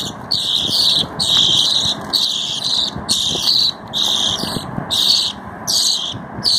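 A budgerigar gives bursts of scratchy, high chattering, repeated a little more than once a second.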